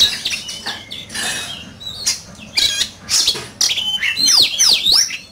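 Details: Oriental magpie-robin in heated competitive song: scratchy, rasping notes and short whistles give way to loud, sharply swooping downward whistles near the end, delivered in quick succession.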